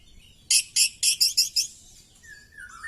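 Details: Oriental magpie-robin in a fighting display with tail spread, singing energetically: six loud harsh, buzzy bursts in quick succession, then a thin whistled note sliding downward near the end.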